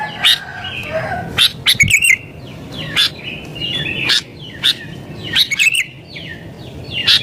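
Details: Sooty-headed bulbul in agitated, vigorous song meant to provoke rivals and lure wild bulbuls: short bright chirps and rising whistled notes in bursts about every second, with softer chirping phrases between.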